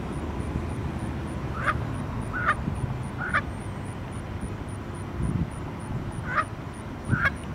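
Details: A young goose, separated from its family and distressed on 24 July 2014, gives five loud, high, rising peeps at uneven intervals of about a second. A low rumble of wind or distant traffic runs throughout.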